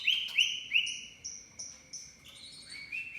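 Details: Javan pied starling lure sound, used to prompt a bird to sing its full repertoire: clear whistled notes, some upslurred, some held level, in a quick uneven series that steps up and then down in pitch.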